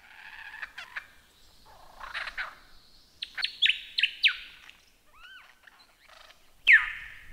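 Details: Lyrebird song played for training songbirds: assorted mimicked phrases, buzzy notes, a few loud sharp downslurred whistles and paired rising-falling notes, ending with a strong downward sweep.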